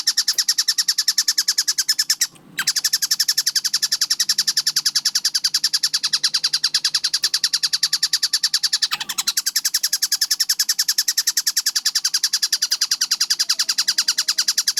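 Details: Kingfisher known locally as tengkek buto, singing vigorously in a fast masteran recording: a long, rapid train of shrill chattering notes, briefly cut off near the start and then resuming at an even pace, over a soft low rumble.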